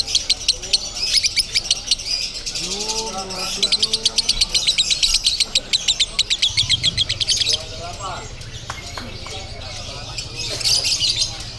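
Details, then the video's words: Konslet song from a lovebird at a contest ground in Bandung, Indonesia: long runs of fast, sharp, high-pitched pulses like a rattling chatter, broken by quieter gaps, with people talking in the background. "LOVEBIRD KONSLET CRAZY"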